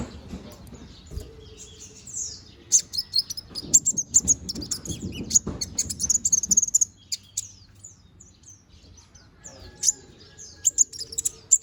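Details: Young brown-throated sunbird in moult, bald and regrowing feathers, in lively song: clusters of sharp, high-pitched tweets and quick trills, with a faint low hum and a soft steady tone in the background.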